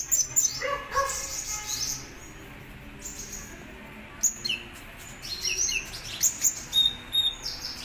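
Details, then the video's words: Contest-kept Kolibri Ninja sunbird giving bursts of very high, sharp twittering and short slurred notes, a busy opening flurry, then a quieter stretch and renewed rapid chirping. "Suara Burung Kolibri Ninja Gacor Mau Juara - Hummingbirds Sound"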